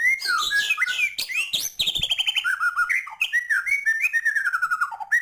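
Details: White-rumped shama in energetic, full-fill song meant to rouse other birds. Rich, varied whistled phrases jump between low sweeps and sharp high notes, with rapid chattering bursts and slurred descending whistles following each other almost without pause.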